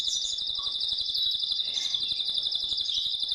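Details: Excited male canary singing to arouse the female for mating: a continuous rapid high trill, rattling and steady, with faint extra chirps overlaid.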